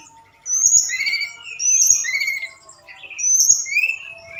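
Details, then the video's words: High whistled phrases from a forktail used at night to stimulate other birds. Piercing upper notes pair with lower slurred whistles, repeated in three separate bursts with quiet gaps between them. "Tledekan Gunung Gacor Malam || Suara Pancingan"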